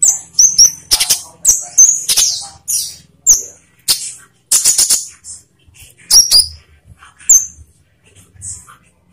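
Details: Olive-backed sunbird song used as a lure so captive birds start singing: high, sharp chirps at irregular intervals, with occasional brief, piercing whistled notes and short silences between them.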